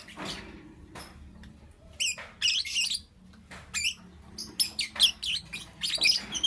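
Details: Lovebird heard in the morning giving scattered high chirps at first, then bursts of grating, rapidly modulated squeaks and twittering toward the end.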